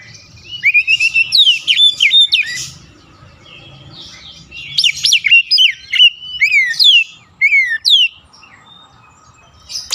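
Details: Oriental magpie-robin singing as a lure to rouse a stressed bird that has stopped singing: clear whistled phrases with rising and falling slurs in two long bursts, separated by a softer stretch, with faint low background rumble.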